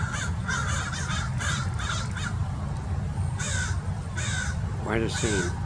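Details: A group of American Crows mobbing a Peregrine Falcon in Mason Regional Park, California, giving repeated loud, grating caws in irregular clusters almost throughout, with a low rumble beneath and a brief human voice near the end.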